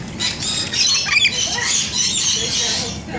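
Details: Rainbow lorikeets bathing together: a dense, continuous chatter of harsh, high-pitched screeches and squeals from many birds at once, with little background noise beneath.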